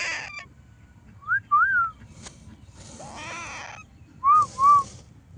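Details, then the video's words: Young parrot calling, with short clear rising-and-falling whistles, a broad harsh squawk in the middle and two more quick whistled notes near the end, against a quiet background. "natural baby sound parrot"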